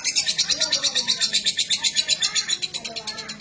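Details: Female lovebird of fighter type, singing a long-duration song: a loud, shrill, rapid chatter of high pulsed notes, about four per second, kept up steadily and easing slightly toward the end; faint low voices underneath.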